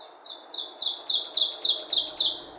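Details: A male ovenbird's loud ringing song in spring breeding season, a rapid series of about a dozen two-note phrases building steadily in volume over two seconds.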